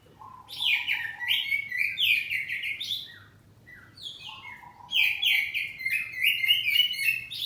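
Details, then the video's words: Caged oriental magpie-robin of the kacer poci type in open, loud ngeplong song, answering back and forth: dense whistled and chattering phrases, short low warbles between them, and a strong, busy closing passage. "Kacer ngeplong saut2an || kacer poci rumahan || suara kacerpoci"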